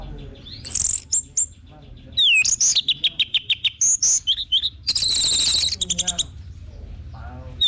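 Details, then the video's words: Orange-headed thrush delivering varied song as a lure to get other birds singing: sweeping whistles, dense buzzy rattles and rapid chip series mixed together, loud and energetic. "BAGUS UNTUK PANCINGAN BURUNG ANIS MERAH BIAR TELER DAN GACOR"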